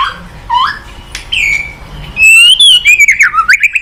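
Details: White-rumped shama, a caged bird in a lure recording meant to prompt a reluctant bird to sing, giving varied whistled phrases: a rising note, long steady whistles near the top, then loud rapid slurred notes in quick succession.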